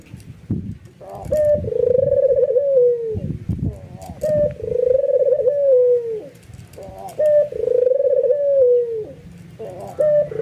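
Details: Excited albino white ringneck dove in full nodding coo that sets other doves cooing; three long, low, steady coos, each opened by a short rising note and ending in a falling slur, about three seconds apart, with faint background thumps.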